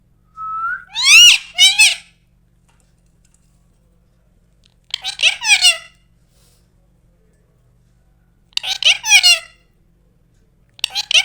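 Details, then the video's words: A pet ringneck (rose-ringed) parakeet talks in Urdu in short, high, squeaky phrases of two or three syllables, about every three to four seconds, in a quiet room. "Parrot Talking urdu"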